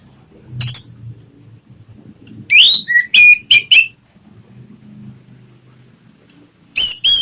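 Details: Orange-headed thrush lure song for coaxing a kept bird into singing. Loud, sharp whistled notes in brief clusters, some rising and some flat, separated by quiet gaps.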